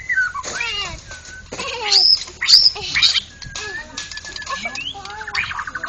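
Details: National champion white-rumped shama delivering loud ngeplong song: piercing high whistles, downward-sweeping notes and short rattles in uneven bursts, separated by brief quieter gaps.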